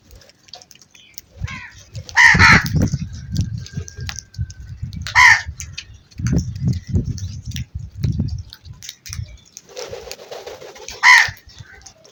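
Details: Crow repeatedly cawing: three loud, raspy caws over twelve seconds, with a steady low rumble and a brief softer call near the end.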